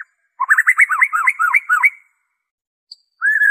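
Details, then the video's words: Original white-rumped shama song, free of mimicked phrases, used to prompt captive birds to sing: a fast run of looping rolled whistles, a short high note, then a steady sustained whistle. "PANCINGAN SUARA MURAI BATU ORIGINAL TANPA ISIAN"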